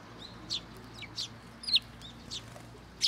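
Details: Sparrows visiting a Tenmangu shrine early on 18 October 2022 to get fed give isolated high chirps about every half second to second, one louder note standing out, over a low hum.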